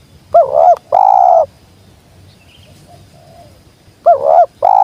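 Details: Spotted dove (tekukur), a wild bird that came straight down, repeating its sweet jergot call twice: a quavering opening note into a long even coo, close and strong over soft background hiss.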